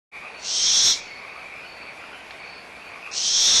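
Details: Barn owl owlets at Audubon Starr Ranch Sanctuary, recorded 17 April 2011, squabbling over leftover food while the mother is nearby; two harsh, hissing screeches about half a second long, separated by a pause, over a steady background frog chorus.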